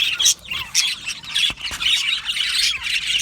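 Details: Budgie colony in an aviary gives harsher squawky chirps in bursts, rough high notes rising and falling over a constant background of flock chatter.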